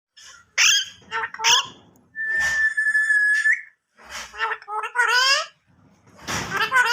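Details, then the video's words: Pet parrot talking in Urdu/Hindi, reciting religious words indoors: clipped, nasal, speech-like syllables with bright harmonics, then a long level whistled tone held about a second and a half, followed by more rapid chattering phrases. "The Speaking Parrot Talking In Urdu/Hindi"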